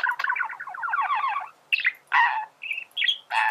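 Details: Warbling male budgerigar, a recording for teaching birds to sing; a long rippling chatter, then several separate harsh squawky chirps and short whistled squeaks.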